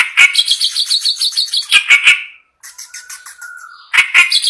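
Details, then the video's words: Clamorous reed warbler, a kept songbird singing energetically day and night: a dense run of grating, rapidly repeated notes, a brief pause with a thin drawn-out whistle, then more harsh chattering. "burung kerak basi gacor ngamuk siang malam"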